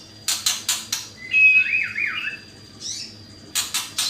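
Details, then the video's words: White-rumped shama singing as lure song: quick dry clicking rattles, then a bright whistle sliding into a wavering warbled phrase and a short harsh note, followed by more rapid clicks; faint steady high hum behind. "Pancingan murai bagu gacor"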